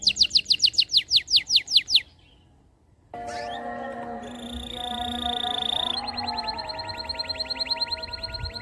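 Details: Canary song meant to coax reluctant canaries to sing: a quick series of high sweeping chirps, a brief pause, then a dense layered passage of sustained high tones and rapid trills over low humming tones.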